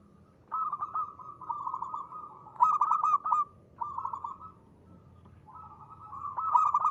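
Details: Long phrases of rolling, purring trill from a local zebra dove with a crisp 'ngristal' voice used as a lure, punctuated twice by bursts of rapid sharp coos.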